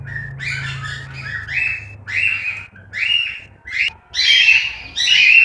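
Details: Cockatiel chicks in the nest in Juazeiro do Norte, Ceará, Brazil: harsh, raspy calls in bursts about a second apart, growing louder and busier toward the end, over a low steady hum.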